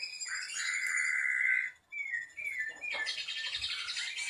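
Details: Ashy drongo singing a tutor phrase: a long steady whistle, a pause, brief sliding whistles, then a dense buzzy high chatter.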